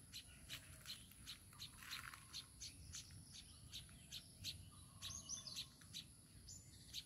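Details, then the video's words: Baya weaver with its chicks: sharp, high chirps come in irregular bursts, some overlapping, with a few louder twittering clusters over steady low background rumble and a faint constant high hiss. "babui pakhi are tar baccha"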